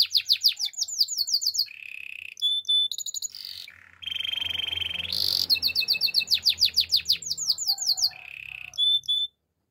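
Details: Male canary singing a loud, varied song: fast descending trilled notes around a high pitch, steady buzzy rolls, and brief piping whistles, with short pauses between phrases.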